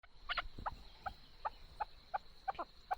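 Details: Chukar partridge calling, recorded as a beautiful voice for hunting: faint, short clucking notes repeated about three times a second, some doubled, over a low background rumble.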